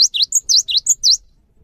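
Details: Cinereous tit song used to prompt other birds of its kind to sing, a rapid run of sharp, high whistled notes alternating between a lower downswept note and a higher short note, about seven notes in just over a second.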